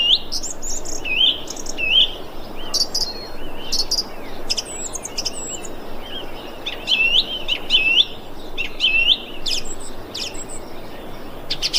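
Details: Calling thrush, 25 February 2021: a long run of short whistled phrases, each a bright looping note with sharp high flourishes, repeated every second or so over faint outdoor noise.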